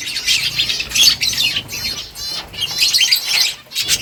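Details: Finches chirp as they eat, in two loud clusters of sharp, high twittering notes separated by a brief lull, with little background noise.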